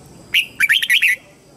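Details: Red-whiskered bulbul used as a lure, singing to bring wild birds in to fight: one clear whistle, then a rapid run of four lilting, warbled notes.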